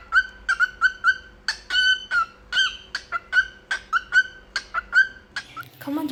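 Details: Indoor pet cockatiel, a male, singing along with its owner: rapid repeated chirpy whistles with rich overtones, uneven rhythm and occasional quick doublets, closing with a brief noisy scuffle and low thump.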